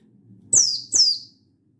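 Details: Mountain white-eye of the Buxtoni kind calling a rival, recorded 16/8/22: a single pair of shrill, high notes dropping sharply in pitch, with a soft low hum behind.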